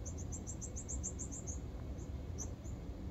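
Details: Fledgling northern cardinal begging as its father feeds it: a fast run of about ten high, sharp chips, then a few scattered single chips, against constant low-pitched background rumble.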